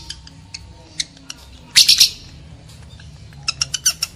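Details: Lovebird sound played to trigger mating urge in males and females: scattered faint high ticks, one loud grating squawk burst near two seconds, then a quick run of bright shrill chirps.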